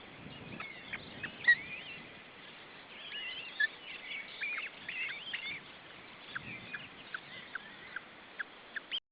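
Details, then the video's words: Osprey nest with the male attempting to feed his chicks: bursts of high whistled chirps and squeals cluster in the middle, then isolated short peeps at irregular intervals, with faint low knocks. "Male osprey tries to feed his chicks"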